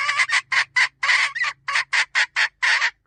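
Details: Hen squawking: around eleven loud, raspy notes of uneven length in quick succession, some doubled, over a faint low hum.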